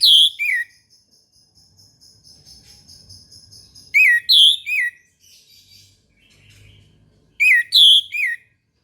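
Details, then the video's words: Orange-headed thrush singing at dawn: three loud bursts of the same ringing three-note phrase, about every three to four seconds, separated by thin sustained high tones and faint twittering. "PANCINGAN ANIS MERAH TERBARU 2022 | BURUNG MACET LANGSUNG IKUT NGEMPLONG"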